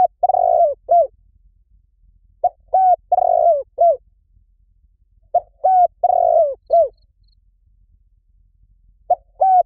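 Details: Spotted dove lure call: repeated cooing phrases every three seconds or so, each a soft low coo, a longer sustained coo and a short dropping ending note, with faint low rumble in the background.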